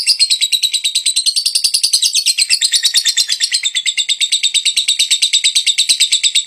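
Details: Lovebird, a fighter bird in high breeding condition, giving a long ngetik ngekek chattering song used as a lure: dense rapid chirps repeated about three per second, high and buzzy, continuous throughout without pause.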